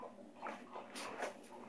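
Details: Severe macaw (Ara severus), a pet in a quiet indoor room, calls with a few short, harsh squawks and throaty chatter notes in quick succession.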